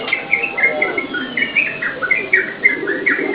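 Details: Yellow-vented bulbul, a lure recording for training cage birds: brief string of clear, slurred chirps repeated at a quick, uneven pace.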